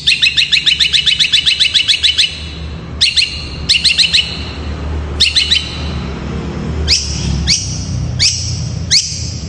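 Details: Long-tailed shrike singing in fast, tight gacor style to draw replies from other shrikes: a rapid string of sharp high notes, then short clustered bursts and single spaced chips, over a low background drone.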